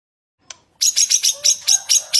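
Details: White-rumped shama (murai batu) in full, emotional song used as a training lure for other birds: a fast run of sharp, high chirping notes, about four a second, after a single soft click.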